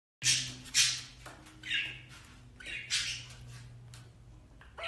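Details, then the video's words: Male blue ringneck (rose-ringed) parakeet constantly kissing his Alexandrine parakeet companion, making sharp, smacking kiss sounds, several close together, over a steady low household hum. "Parrot gives best friend kisses, complete with kissing sounds!"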